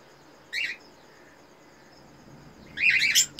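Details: Captive Eno red-eyed cockatiel breeding pair during mating: one brief harsh chirp, a pause of two seconds, then a longer rasping, warbled burst of squawky notes.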